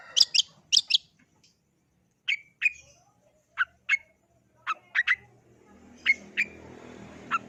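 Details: Long-tailed shrike singing. Opens with a few sharp high scratchy notes, then a spaced series of short, clear down-slurred whistles, single or paired, roughly every half second to second, over faint background hiss.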